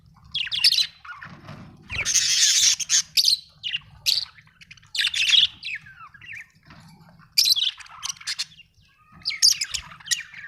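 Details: Australian budgie in lively chirping chatter: harsh buzzy bursts mixed with short rising and falling warbles, coming in uneven groups separated by brief pauses, with a faint low hum.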